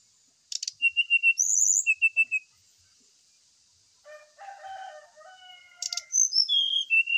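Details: Brown-chested jungle flycatcher therapy and lure song meant to prompt a bird, aired in the morning dew, to sing quickly. Clipped repeated whistles and a sharp buzzy burst, a quiet gap, then lower warbled notes leading into falling high whistles.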